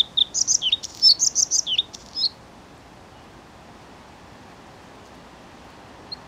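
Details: Bluethroat singing a fast burst of varied high chirps, twangy slurred notes and buzzy trills for about two seconds, then quiet hiss with one faint note near the end.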